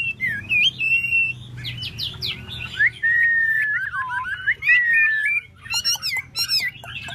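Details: Tail-fanning Chinese hwamei delivers a varied, rich song. Looping whistles alternate with short rising slurs and a long wavering phrase, broken by brief pauses and a burst of sharp high chirps at the close.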